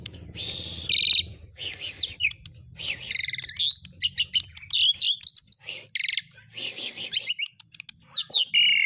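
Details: Javan pied starling singing a varied filled-in song meant as a model for training other birds: loud harsh buzzy bursts alternating with sharp chirps and slurred whistles, delivered in quick uneven phrases with short gaps, faint low hum beneath.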